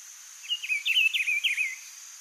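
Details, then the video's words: Wild rufous-browed peppershrike singing in nature in Brazil: a rich, warbled phrase of rising and falling whistled notes lasting about a second and a half, over a steady high insect drone. "CANTO do PITIGUARI livre na natureza"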